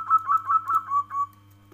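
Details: Short cooing phrase of a local zebra dove: six soft, slightly wavering notes delivered quickly, dropping a little in pitch toward the end, with a low electrical hum underneath.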